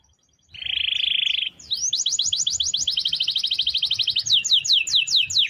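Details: Caged canary singing a long rolling song used for daily training of other birds: a steady buzzy trill near one pitch for a second, then rapid repeated whistled sweeps, a fast even roll, and slower descending slurred notes.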